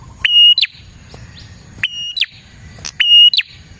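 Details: Prinia song for attracting prinias: a steady piercing whistle ending in a quick descending slur, repeated three times at regular intervals over a quiet low background.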